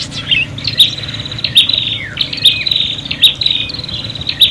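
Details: Prinia calls described as agitated and fighting, used to lure birds: dense high buzzy trills near one pitch, broken by sharp chips and short downslurs, with a steady low hum beneath.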